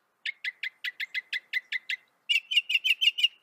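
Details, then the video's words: Northern mockingbird of North America singing: a fast run of about ten sharp downslurred notes, then a brighter, higher series of six clipped notes, delivered as repeated phrases in quiet surroundings. "Veja o canto do pássaro, ave zombeteira"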